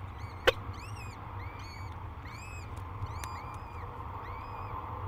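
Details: At a peregrine falcon nest on a Minnesota cliff overlooking the Mississippi River during hatching day, faint rising-then-falling peeping notes come in short runs, with a loud snap near the start and a constant low hum.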